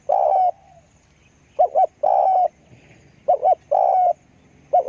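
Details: Spotted dove kept as a lure bird gives a long mellow coo, then double short notes and another long coo, the pattern repeating in a calm rhythm over quiet low noise.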